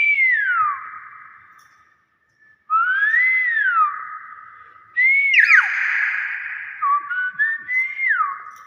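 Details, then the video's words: Common hill myna whistling falling and rising-then-falling slides, then a buzzy warbled phrase and short stepped whistled notes. "BURUNG BEO SUARA ASLI"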